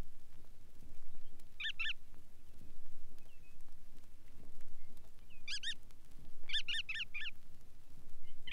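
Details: Bar-tailed Godwit voice from a Soviet sound-guide record of waders: scattered clusters of two to three quick nasal notes, fairly faint, over low background hiss.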